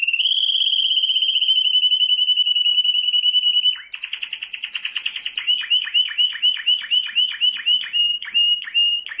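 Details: Canary of world-champion class: a long steady trill, a buzzy higher-pitched passage, then rhythmic repeated downward-sweeping notes about two per second.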